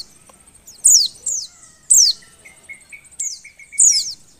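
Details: Female Oriental white-eye in breeding condition, used to stir lazy males into song: high, thin descending chirps, several in quick succession, with a faint series of soft lower tones in the background.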